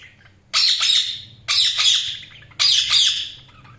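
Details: Budgerigar chirping: three loud, grating warbled squawks, each about half a second long, roughly one per second, over faint room hum.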